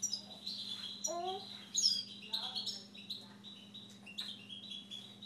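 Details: An owner's Siberian goldfinch singing: quick bright twitters, short high buzzy notes and sliding chirps in irregular bursts, over a steady electrical hum and a faint high whine.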